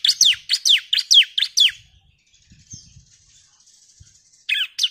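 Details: A female bar-winged prinia calls to a male with a quick run of six high, falling chirps. A quiet gap with soft low knocks follows, then two more sharp notes close the passage.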